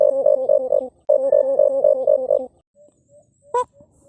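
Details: White-eared brown dove giving its fighting call: two bursts of rapid low hollow coos, about four per second, then soft short notes and a sharp click.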